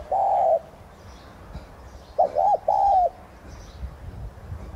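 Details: Spotted dove (Streptopelia chinensis tigrina), a Vietnamese decoy bird giving the 'thúc gù' coo to stimulate other doves to sing: one long mellow coo, then a quick doubled note and drawn-out coo, with faint high chirps of small birds.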